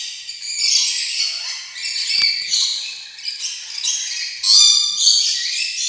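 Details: Rainbow lorikeet chattering almost continuously, a harsh, scratchy stream of screeches with uneven loudness and a sharp click partway through.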